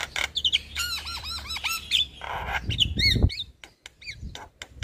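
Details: Javan myna song recorded as a master for young birds: loud grating squawks with looping bent notes, scattered twangy whistles, and a thudding low noise in the middle.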